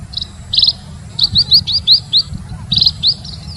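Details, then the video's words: Emprit (munia) lure call meant to draw birds in: quick bursts of high, thin, slightly rising chirps in fast runs of four to six, over a low hum. "Suar pikat burung EMPRIT ampuh"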